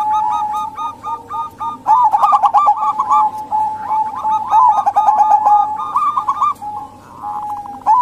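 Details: Female local zebra dove voices, used to lure reluctant males or wild doves. Stuttering low coos run in quick bursts over a steady sustained tone, with several overlapping callers and no other sounds.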